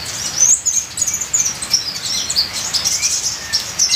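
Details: Ninja sunbird song with full fills, used as a bird-training recording: rapid, very high, thin chirps and twittering notes in quick bursts, set against a steady hiss like trickling rain.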